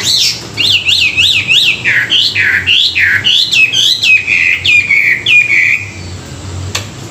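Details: Chinese hwamei in morning song training, pouring out a fast series of looping whistled notes, each phrase repeated several times over roughly three per second, ending in a long falling slur.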